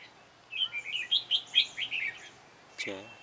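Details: Sharp-voiced red-whiskered bulbul at a trapping site gives one quick run of about eight bright, warbled notes lasting under two seconds. A man's voice speaks briefly right after it.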